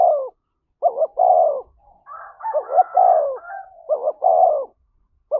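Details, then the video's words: Spotted dove coos meant to spark a fight: repeated phrases of two short hooked notes and a long falling coo, overlapped midway by a second, higher-pitched dove cooing. "tiếng chim cu gáy thúc đấu"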